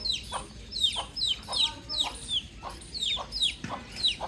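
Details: Outdoor baby chick giving quick, high, falling chirps, about three a second, each a sharp downward-sweeping peep over a quiet natural background.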